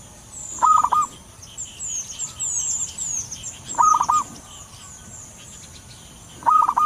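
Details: Wild local zebra dove, used as a lure, gives short staccato cooing phrases of rapid clipped notes, repeated about every three seconds. Other small birds chirp high in the background.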